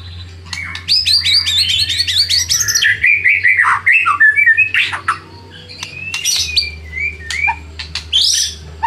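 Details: Lure song of a white-rumped shama meant to rouse rivals: a rapid string of repeated high notes opens into varied whistles, scratchy bursts and sharp clicks over a steady low hum.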